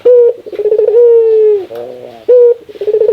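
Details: A Barbary dove gives its rare laughing call, heard as loud clear tones alternating with quick stuttering coo pulses and a drawn-out hum that falls at the end. The dove then starts the pattern again.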